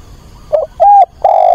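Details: Decoy spotted dove song calling for a partner to lure wild doves nearby: a brief wavering double note, a level mellow coo, then a long steady held coo.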